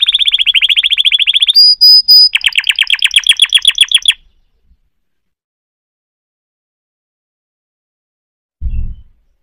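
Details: Canary song with a fast rolling trill, a brief pure whistled note, then another rapid trill that stops after four seconds, followed by silence and a short low thump near the end.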